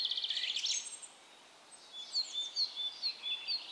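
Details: Song thrush singing from a spruce treetop at its summer site on 13 May 2016: a rapid, twittering high phrase, a pause, then short, clear whistled notes repeated several times a second.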